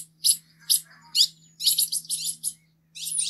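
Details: High, thin tanager notes from a Green-headed tanager: three spaced sharp chips, then a run of dense, hissing high phrases and a final buzzy burst, with a low steady hum in the background.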